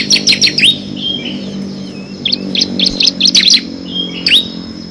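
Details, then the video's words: Ciblek kristal (bar-winged prinia) in song meant for training competition birds: a quick trio of high chirps, then scattered sharp notes and soft sliding whistles separated by short pauses. "FULL NGEBREN‼️ CIBLEK KRISTAL GACOR ISIAN 6 VARIASI"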